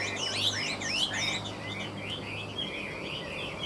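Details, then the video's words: A caged hwamei singing at midday pours out dense, rapid whistled loops, notes curving up and down without break, over a low steady hum. "Họa mi hót buổi trưa"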